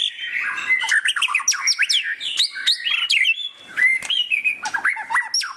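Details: White-rumped shama giving loud chattering: a fast jumble of sharp whistled notes, rising and falling slurs and harsh squawky bursts, packed close together with hardly any pause.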